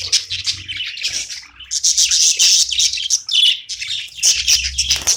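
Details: Budgie playing and chirping loudly, rapid buzzy chatter in bursts with one short pause, irregular rhythm, a low rumble audible near the end.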